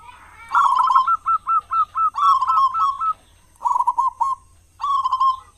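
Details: A loud local zebra dove, used to draw other doves into song mornings and evenings: a rolling coo breaking into a run of quick hooked notes, then shorter trilled coo phrases.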